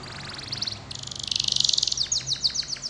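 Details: Canary song used as a lure to make other canaries sing lively; a high, continuous trilled song of rapidly repeated notes, swelling into a fast rolling trill midway, then breaking into sharp, separate chips.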